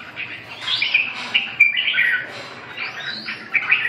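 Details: Red-whiskered bulbul (chào mào) song: bright warbled phrases with arching, slurred notes and quick chirps, delivered in bursts with short pauses between.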